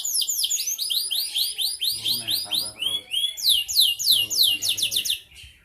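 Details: Kenari kalitan canary singing vigorously in a dense, rapid flow of high, downslurred and upswept notes, about three a second, with fast trilled stretches. A low buzzing hum sounds underneath midway through.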